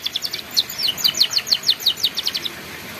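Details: Canary ngeriwik song recorded as a master for young canaries learning to sing: a fast, rhythmic trill of repeated high chipping notes, about three per second, sustained for two and a half seconds before stopping.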